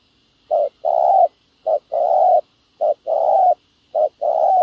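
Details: Ground-decoy spotted dove used to attract wild doves, giving a run of four clear two-note coos: a short soft lead note and a longer, full, even coo, spaced just over a second apart in a quiet setting.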